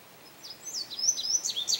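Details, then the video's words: High, thin song of a male Indigo bunting, recorded May 25, 2022 at St. Johns Conservation. After a quiet opening, paired whistled notes rise and fall, growing louder toward the close. "Indigo Bunting Song"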